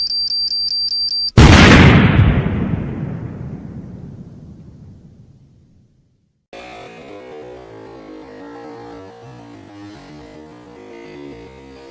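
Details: A brief electronic tone gives way to a loud, booming blast that slowly dies away into silence. Busy instrumental music then fills the rest, and no bird or other animal voice can be picked out.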